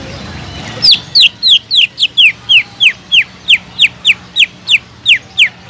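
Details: Greater green leafbird, a kept bird, giving a loud series of about fifteen clear, downward-sweeping whistled notes at a steady quick pace, each note sliding from high to lower pitch over quiet background.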